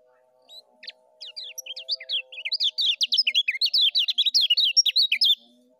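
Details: Lemon-bellied white-eye, 'ngejos' song for training birds: tentative high notes over a steady low hum, then an accelerating, loud run of rapid zigzag whistles lasting about three seconds.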